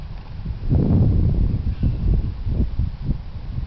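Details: Waved albatross in the Galapagos during its mating dance: a run of rough, clattering bursts repeating several times a second, loudest early on and then in shorter pulses, over a heavy low rumble like wind.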